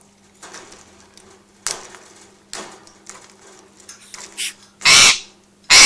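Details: Angry pet parrot throwing a fit at home because its owner was filming another parrot, with soft scratchy clicks and scrapes before loud harsh, rasping squawk bursts; a nearby African Grey adds a drawn-out "ggggghhhhewww" sound.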